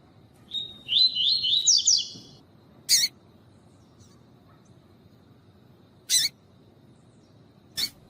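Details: Coleiro (double-collared seedeater) singing the tui tui song style, recorded with a female for song training. A bright whistled phrase of rising and falling notes lasts about 1.5 seconds, followed by three short harsh bursts spaced a few seconds apart.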